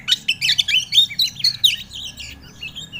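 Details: Kacer, or Oriental magpie-robin, lure song for coaxing an untrained bird into song: fast, scratchy twittering phrases with quick slurred whistles, trailing off into softer chatter.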